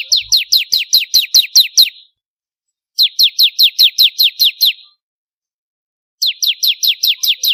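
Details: Song of a bar-winged prinia (ciblek kristal), one of several variations meant for tutoring songbirds: steady trains of high, falling chips, roughly ten per phrase, in three phrases split by gaps.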